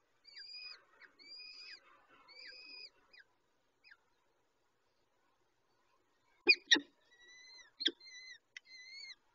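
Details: Peregrine falcon feeding its chicks: thin, thread-like whistled notes with upward-curving tails repeated in short series, a silent gap, then sharp loud clicking chips mixed with more high whistles.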